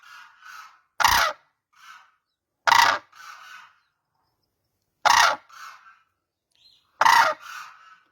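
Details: Cranes give four loud, broad, brassy calls at uneven intervals of one to two and a half seconds. Faint, softer notes follow each call and fill the pauses.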